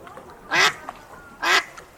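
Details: Ducks outside an aviary in the early morning, enjoying their meal: two loud, harsh, nasal quacks about a second apart, with a brief faint call between them.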